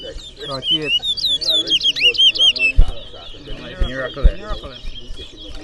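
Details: At a Berbice, Guyana singing competition, a towa towa delivers loud, sweeping whistled phrases of rising and falling notes, one strong burst in the first three seconds followed by softer chirps, with people talking nearby.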